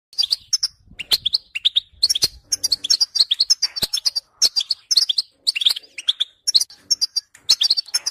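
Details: European goldfinch song: rapid, twittering phrases of bright chirps and liquid trills, high-pitched, with brief pauses between bursts throughout; no other clear sounds.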